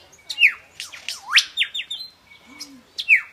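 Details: Superb lyrebird at Healesville Sanctuary, Victoria, singing as part of its mating dance: loud varied phrases of sharp downward-sweeping whistles and squawky chirps, a short rising-falling note between them, delivered in quick irregular bursts.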